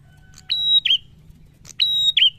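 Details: Prinia singing loudly and persistently: two matching phrases, each a click followed by a long, level, high whistle that ends in a sharp, twisting downslurred note.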